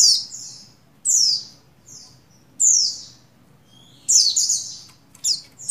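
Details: Female Oriental white-eye of the buxtoni race, in breeding condition, calling to a male: high, thin chirps sweeping downward, given singly or in short pairs at irregular gaps of about a second, with quiet pauses between.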